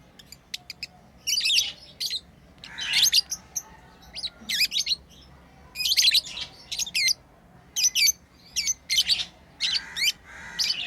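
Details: Tame lovebirds at play, chirping steadily in short, piercing, high bursts that come in irregular clusters almost without pause throughout.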